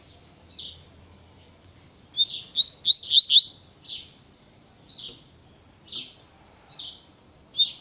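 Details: Double-collared seedeater singing tui tui natureza style: a fast cluster of high rising slurred whistles, then evenly spaced single buzzy notes about once a second.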